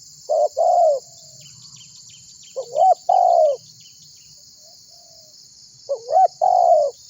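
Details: Spotted dove (tekukur) calling actively, used as a lure to draw other birds into calling: three mellow two-part coos, a short rising note then a longer falling one, about every three seconds, over a steady high insect buzz and low hum.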